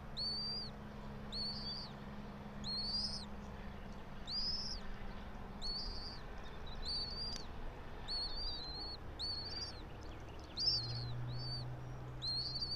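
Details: Bald eagle calling from its pine-top nest 90 feet up, Johnson City, Tennessee, 06:28 on 04.03.2024; a long run of high, shrill, arched chirps repeated roughly every second, with background hum and a brief low thump.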